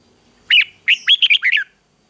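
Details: Red-whiskered bulbul 'ché' fighting song aimed at stimulating male birds; one sharp chirp, then a rapid, tumbling phrase of five or six liquid warbled notes ending on a falling slur, clean and close.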